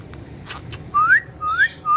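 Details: Pet parrot, described as friendly and speaking, gives three clean rising whistles in quick succession after a few soft taps, against faint low room hum.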